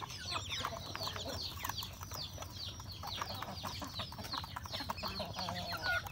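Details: Rural home-kept chickens, roosters and hens, eating breakfast: a dense chorus of short, high, downward-sweeping peeps overlapping continuously, with sharp pecking clicks throughout and a low steady hum beneath.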